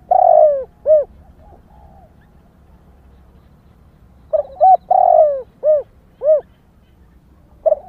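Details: Female spotted dove cooing to excite males: a long coo followed by short rounded notes, silence, then a full phrase of quick coos, a drawn-out coo and two clear closing coos, and the start of another phrase.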